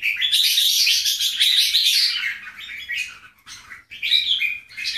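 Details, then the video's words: Bulbul from a Keke versus Golden Voice jambul comparison pours out a loud, continuous, buzzy warble for two seconds, followed by shorter clipped chirping phrases. "Display Keke jambul vs Golden Voice jambul"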